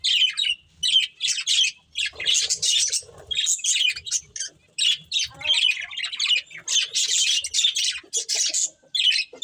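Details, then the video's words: Budgerigar breeding pair giving rapid, rhythmic scratchy chirps and squawky notes in short bursts, many per second, with light rustling underneath. "Cute Budgies Chirping Sounds | Beautiful Budgies Breeding Pair"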